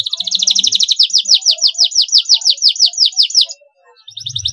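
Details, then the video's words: Canary singing short phrases to encourage a stressed canary: a rapid rattling trill flowing into a steady run of loud, downward-sweeping whistled notes about three per second, a short pause, then the trill resumes over a low hum. "Pancingan jitu untuk kenari stress dengan suara pendek pendek agar mental tidak semakin drop"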